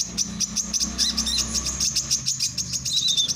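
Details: Male brown-throated sunbird, for training songbirds and luring others: rapid, high, thin chirps in a steady stream, with a few short descending whistles near the end; faint low hum underneath.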